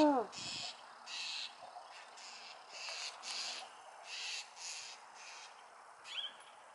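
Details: Wild owl producing a run of breathy, hissing bursts about every half second, softer than the opening sound; a brief voice-like noise starts things off and a short squeak comes near the end.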